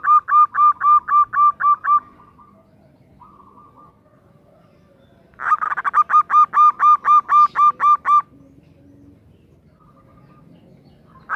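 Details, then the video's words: Female zebra dove, vigorously calling for the male, gives two bouts of clear, evenly repeated mid-pitched notes at about four per second. The first lasts two seconds and the second about three, with a quiet pause between them. "Perkutut betina memanggil JANTAN - Suara BETINA GACOR Mengundang Bunyi"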